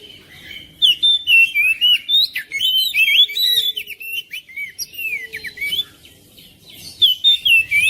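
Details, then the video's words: Kacer, the oriental magpie-robin, in loud varied song meant to prompt a quiet bird to join in: rich whistled phrases, slurs and rapid chattering notes pouring out almost without pause. "KICAUAN KACER BIKIN RAMAI SUASANA RUMAH"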